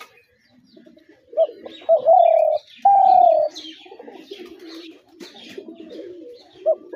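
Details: Spotted dove giving two short hooked notes, then two loud, sustained, gently falling coos, followed by quieter low cooing and a final short note.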